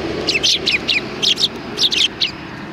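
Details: Sparrows arriving to be fed at a Tenmangu shrine, Japan, 16 January 2020, give a lively run of quick, bright chirps, about ten notes in under three seconds, with faint low rumble underneath.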